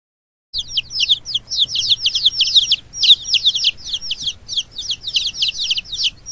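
Chicks peep continuously in rapid, high, downslurred cheeps, several birds overlapping at a few notes per second, with a faint low hum beneath.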